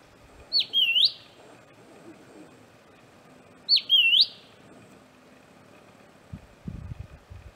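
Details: Vocal Southern scrub-robin perched a few metres away: two clear whistled calls about three seconds apart, each dipping then rising sharply, with faint low thumps near the end.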